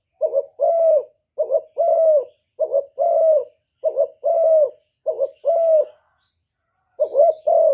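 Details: Spotted dove cooing and crowing, thổ voice, used to provoke rival doves. Paired low coos, a short stuttered note then a longer smooth one, roll in a steady series, broken by a short pause near the end.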